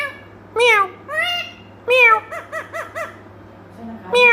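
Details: Indian ringneck parrot talking indoors: several loud, harmonic, voice-like phrases, then a quick run of five short arched syllables, with a final call clipped at the end.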